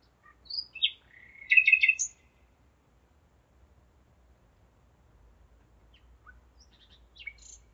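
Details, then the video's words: Night song of a common nightingale, Zeitz, Germany, 5 May 2017 at 01:55: a burst of varied high whistles and a dense buzzy trill in the first two seconds, then silence and faint scattered notes near the end. "Gesang der Nachtigall - Song of the nightingale"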